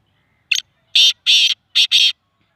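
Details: Black francolin in Sindh, Pakistan: five loud, harsh, grating notes. A short clipped note comes first, then two longer rasping notes, then a quick pair, all within about two seconds, over near silence.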